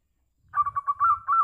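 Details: Local zebra dove giving a call that every zebra dove is said to answer: a burst of rapid, throbbing mid-pitched coos running into longer sustained notes, with soft low rumbling underneath.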